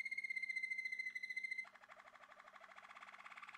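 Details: Male Malinois Waterslager canary, a breeder's bird, singing indoors: a steady pure whistled tone, then a fast bubbling trill of rapidly repeated notes, with a faint low hum behind.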